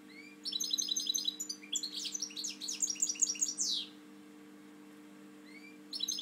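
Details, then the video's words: Captive male European goldfinch, a favourite breeding bird with a drooping wing, delivering a fast liquid twittering phrase of high chirps and trills lasting about three seconds, then a brief restart; constant low hum in the room. "jilguero 08 alarota"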